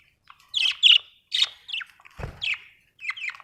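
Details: Budgie chatter made of short, sharp chirps and squeaky twittering notes in quick succession, with one soft low thump midway through; otherwise quiet surroundings.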